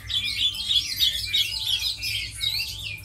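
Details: Fast, dense warbling from a tame Chinese hwamei kept for fighting, with loud whistled notes repeated about three times a second in a steady, bubbling stream.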